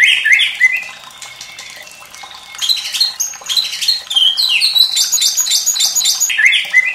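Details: White-rumped shama song with trickling water, played to stimulate singing in young and untrained birds: varied swooping whistles and downslurred phrases at middle to high pitch, rich and changeable, separated by short pauses.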